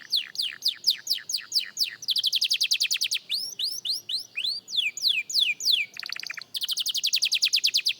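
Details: Beginner canary practising song: rapid falling sweeps give way to dense, rolling trills. A harsh, broad burst sounds near the end before another fast trill.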